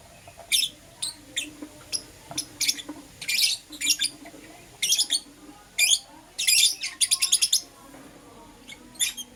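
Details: Lovebirds kept as pets, Euwing green opaline and lutino, calling in the morning: high, clipped chirps scattered irregularly, building to a fast rattling run of notes near the end.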